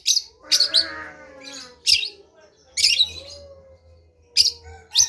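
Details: Long-tailed shrike delivering loud grating bursts, singly and in pairs, about one per second, with softer warbled lower tones trailing after them over a faint low hum.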